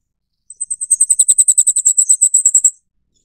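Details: Flamecrest (Regulus goodfellowi), endemic to Taiwan's mountains, gives a very high, thin series of about twenty rapid tinkling notes that swell in volume over just over two seconds.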